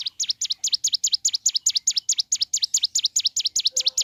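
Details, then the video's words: Morning song of a ciblek gunung, a long unbroken run of sharp, high, dipping chirps at a quick steady pace, roughly four per second, with a faint low whistle near the end. "Suara Asli Ciblek Gunung Gacor Pagi Hari"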